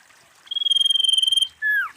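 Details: One phrase from a female common iora: a bright, finely pulsed trill held level for about a second, a brief gap, then a single clear whistle dropping steeply in pitch.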